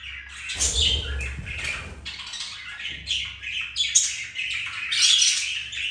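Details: Pet budgerigars playing and mating, with squeaky chirps and scratchy warbling over low fluttering thumps, likely wingbeats, early on, then steadier chatter toward the end.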